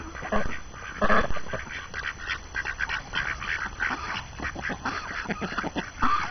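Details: Ducks on the first snowy morning of the New Year, hungry and eager after confinement, give rapid overlapping quacks in irregular bursts, strongest at the start and the close, with constant low background hum.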